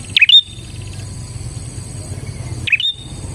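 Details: Bar-winged prinia song used as a lure for catching other prinias: two sharp, high chirped phrases about two and a half seconds apart, each a quick downslurred note followed by a brief thin whistle, over a low steady hum.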